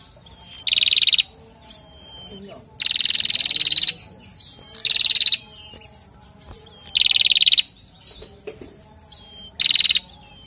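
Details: A male Bar-winged prinia song used as a lure: loud, buzzy, high rattling bursts, each under a second, repeated every two seconds or so, with faint chirps of other birds behind.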